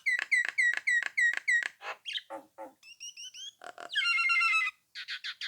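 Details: Nias hill myna singing to lure rival birds into replying: six evenly repeated upslurred whistles, varied squawks, high descending slurs, a long harsh buzzy note and final rapid chatter.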